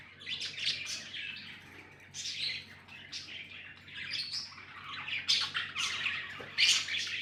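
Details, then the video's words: Budgerigars chattering continuously, overlapping scratchy chirps and high sharp tweets with a few louder accents, over a steady low background hum. "Budgies amazing love & chirping sounds"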